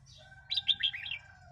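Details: Song of a red-whiskered bulbul, intended as playback to provoke wild birds or teach young birds: one brisk phrase of clear whistles rising and dipping, with a low rumble underneath.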